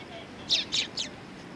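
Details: Three short, high chirps come in quick succession from Eurasian tree sparrows gathering to be fed at a Tenmangu shrine, 20 September 2020, against a soft background murmur.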